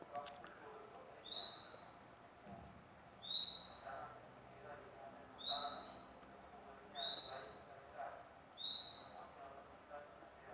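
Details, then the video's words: Newly obtained magpie-robin sings a regular run of five long, bright, rising whistles, about one every two seconds, against a low background hum. "mk baru dapat dah bunyi"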